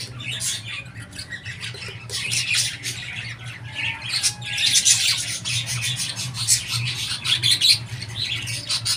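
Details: Budgerigars chattering: quieter chirping at first, then dense rapid clicks, squawks and buzzy notes from about four seconds on, over a low hum.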